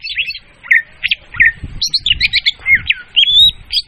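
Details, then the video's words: Clear, loud leafbird lure song made of jumbled, hurried chirps, twittering trills and a few longer whistled notes, delivered almost without pause. Low background rumble is audible. "suara pemikat burung murai daun||suara jernih dan volume keras."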